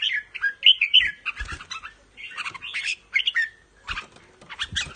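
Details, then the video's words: Caged red-whiskered bulbul of the Pa La-U line in Thailand, singing and giving rik chatter: short bubbly whistled phrases in quick irregular bursts, some fluty notes, with light thumps and rustling between them. "นกกรงหัวจุกสายป่าละอู ทั้งร้อง ทั้งริก นกร้องเบิ้ลๆ ริกๆ"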